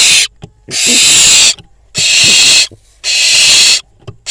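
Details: Barn owl fledgling at a camera-watched nest in Israel, given prey and feeding next to a pigeon; three loud, harsh, breathy screeches, each close to a second long, separated by short gaps with faint low thumps.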